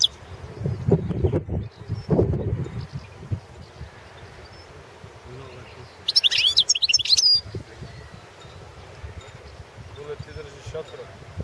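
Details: Competition recording of a Balkan European goldfinch, subspecies balcanica, for a world goldfinch song championship: one lively burst of high, jangling twitters and trills amid low rumbling and handling noise.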